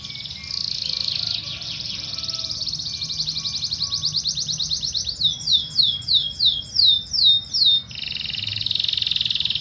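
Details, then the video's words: Fighting canary song used as training material: a dense, high, buzzy trill that quickens into rapid repeated notes, then loud down-slurred whistled notes about twice a second, ending in another harsh buzzing trill. "KENARI. Masteran burung Kenari Petarung"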